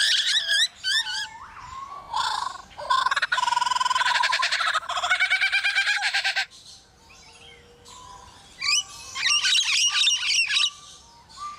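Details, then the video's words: Male Superb Lyrebird in a zoo enclosure in Adelaide mimicking construction work it overheard. Rapid harsh rattling, machine-like bursts and stuttering buzzes alternate with quick whistled chirps, with brief pauses between sections. "Superb Lyrebird imitating construction work"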